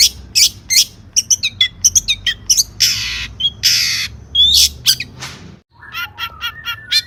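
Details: Lure recording of a long-tailed shrike in chatty song with a rich repertoire. Harsh rasping bursts and clipped whistles come in quick runs, then a pause, then a softer, lower series of short repeated notes.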